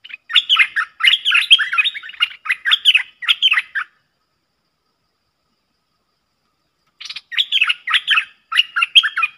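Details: Pair of streak-eared bulbuls in a fierce song duel, 30 October 2021: about four seconds of fast, warbling chirps, a three-second silence, then more lively bubbling phrases.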